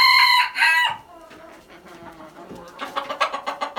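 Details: Red junglefowl crowing: a loud harsh rasping phrase in two surges at the start, then quieter clucking and rough repeated notes building again toward the end.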